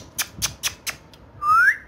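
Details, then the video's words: Playful pet talking parrot, said to speak Urdu/Hindi, indoors: four sharp clicks followed by one loud, clear whistle sliding upward. "So Funny And So Playful Talking Parrot"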